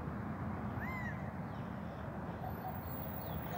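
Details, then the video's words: One short arched call from a male Gambel's quail perched on a rooftop, recorded May 23, 2024, rising quickly then dropping, followed by faint distant bird notes against steady low background noise. "Gambel's Quail Call (On the Roof)"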